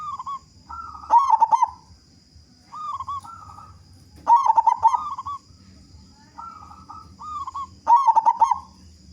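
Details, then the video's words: Big-voiced local zebra dove, a lure to set other doves singing; two short quavering coos precede each loud rapid pulsed phrase, the pattern repeating about every three and a half seconds over a constant high whine. "Perkutut Lokal Gacor Suara Besar Pancingan Burung Perkutut Agar Cepat Bunyi"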